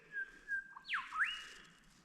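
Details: Grey Shrike-thrush in creekside woodland at a travelling stock reserve near Barraba, NSW, gives a clear melodic whistle: a level held note, then a sharp falling slur swinging up to a bright ringing note.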